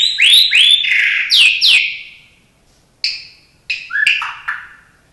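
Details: White-rumped shama, a kept bird, singing with imitations of other birds: loud rising and falling slurred whistles in quick succession, a pause, then scattered sharp upward notes and short whistled phrases.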